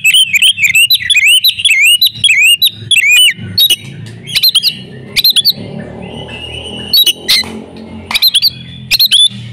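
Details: Breeding-condition female oriental magpie-robin serving as a lure for mute males: opens with a fast string of repeated rising whistles, then a long buzzy note, isolated sharp clicks and a few upslurred whistles over a low rumble.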